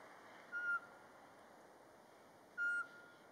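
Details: Unprovoked daytime mating song of a Eurasian pygmy owl (Glaucidium passerinum) in Latvia, March: two steady, pure whistled notes spaced about two seconds apart over a quiet background hiss.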